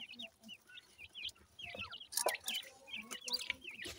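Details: Grey francolin (teetar) chicks from a breeding setup in Punjab: a busy chorus of thin, high, downslurred peeps, several a second and overlapping, over scattered sharp clicks and soft low knocks.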